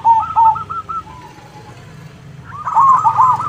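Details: Loud zebra dove song traded with local zebra doves. Clear arched coos repeat about three per second, fall to faint trailing notes, then a loud burst of overlapping rolling coos from more than one bird. Steady low background noise.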